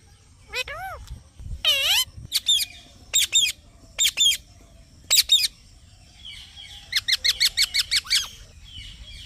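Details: Green parrot producing varied calls: a few down-curving harmonic squeaks, spaced paired chirps, then a fast run of about ten high, even chirps near the end.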